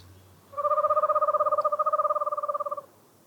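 Eastern Screech-Owl giving a steady, even-pitched trill of rapid notes, about ten per second, lasting a little over two seconds. It is a low, purring tone in a quiet night.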